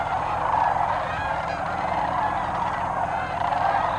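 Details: Sandhill cranes massed at their wintering area near Bernardo, New Mexico, 2008, giving a constant wash of rattling, bugling calls from many birds at once, swelling slightly in pulses over a low background hum.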